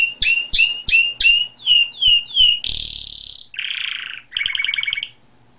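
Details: Canary singing a series of loud sweeping chirps, roughly three a second, followed by a harsh hissing buzz, a lower nasal buzzy note and a quick trill.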